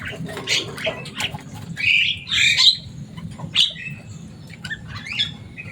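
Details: Kept Javan myna, described as noisy and able to mimic people, uttering scattered harsh squawks and chattering notes of varied pitch against a continuous low hum.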